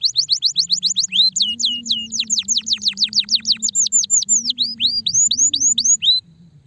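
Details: Canary, described as stressed, singing rapid trains of falling high whistles that change into longer hooked and rising notes before stopping abruptly; low hum beneath.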